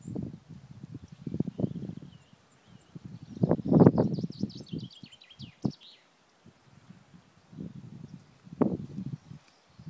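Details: Black grouse in the eastern Ore Mountains on 2 April, outdoors: low pulsed bubbling sounds in rapid bursts, with a faint hissing, higher series in the middle of the recording and brief pauses.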